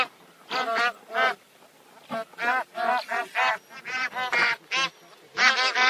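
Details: Repeated harmonic honks of a bar-headed goose, coming in quick pairs and runs, with overlapping voices toward the end.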